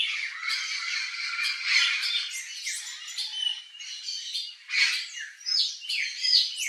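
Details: Wild turquoise-fronted parrot in its natural Brazilian habitat: dense run of raspy, grating squawks with interleaved whistles and warbled notes, irregular bursts of varying loudness, faint tone in the background.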